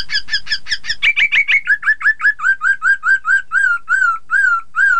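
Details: Chinese hwamei singing to trigger rivals to reply: a fast stuttered series that slows into evenly spaced looping whistled notes, each dropping in pitch, about three per second.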